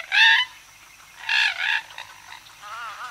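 Common Moorhen giving two loud, harsh croaking calls about a second apart, then a fainter wavering rattle at the end.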